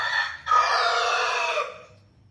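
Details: A cockerel gives a single long, strident crow lasting over a second, steady and rasping, then trailing off, with a brief softer note just before it.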